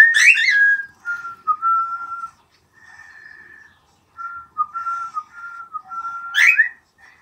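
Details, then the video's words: Happy pet cockatiels responding to whistling: opening harsh shrill chirp, then a string of level whistled phrases with slight pitch steps, another sharp squawk near the end, quiet room. "玄凤鹦鹉 听口哨 玩得很开心!"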